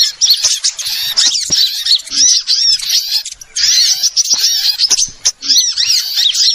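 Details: Lure call for catching small birds: a noisy twittering flock, quick squeaky chirps and thin slurred whistles in bursts, with brief pauses between clusters.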